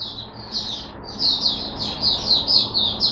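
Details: Caged Oriental white-eye, kept on supplement-mixed drinking water, recorded 5 May 2022, opening into song: high, rapid warbled notes running in quick uneven bursts over a faint low indoor hum.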